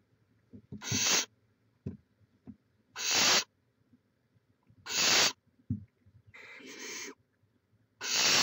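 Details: Barn owls at a Chula Vista, California nest, 18 May 2017: a series of five loud rasping hisses about two seconds apart, one longer and more tonal, with knocks and taps in between.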